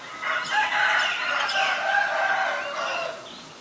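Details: Black-collared starling recorded in Ubon Ratchathani, Thailand, on 17 April 2022, giving a continuous run of loud, harsh, grating squawks with a noisy chattering quality for about three seconds before fading.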